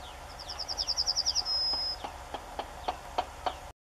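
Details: Singing yellowhammer in the UK, filmed with a Canon SX50HS: a fast string of high repeated notes closing in a long, even, thin whistle, followed by sharp knocks from someone hammering nearby, about three per second.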